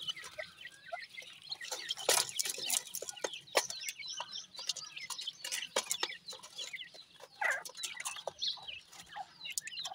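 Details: Grey francolin chicks calling as they feed: scattered high, thin chirping peeps, with sharp clicking and tapping sounds from pecking, strongest around the second and fourth seconds.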